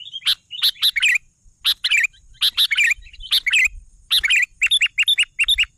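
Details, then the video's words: Sooty-headed bulbul singing vigorously: bursts of harsh, broadband chips mixed with short warbled, falling notes, given in irregular clusters of two to four. A faint steady high whine runs throughout. "suara burung kutilang gacor"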